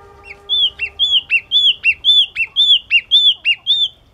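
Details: A yellow-cheeked tit repeats a clear, sharp two-part phrase about ten times in four seconds. Each phrase is a bright arching whistle snapping into a lower slurred note, over a faint steady hum at the start.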